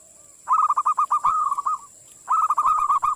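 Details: Local zebra dove singing two phrases of soft, rapidly rolling coos on one steady pitch, a short gap between them, over a faint high-pitched hiss.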